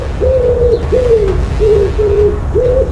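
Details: Wood pigeon giving five soft, low, hollow coos, each about half a second long and evenly spaced, over a steady low background rumble.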